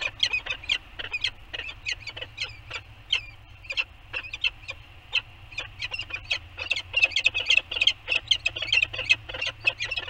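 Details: Morning nest bonding of a peregrine falcon pair at Anacapa, 15 September 2020. Male and female beak each other in the nest bowl. Dense bursts of loud, scratchy chipping notes come in quick runs, fading briefly and then intensifying again toward the end.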